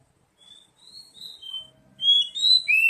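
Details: Oriental magpie-robin song used as a lure to get an untrained bird singing. Soft, drawn-out high whistles come after a brief silence, then grow louder into brighter rising and falling whistled phrases, with a faint low hum beneath.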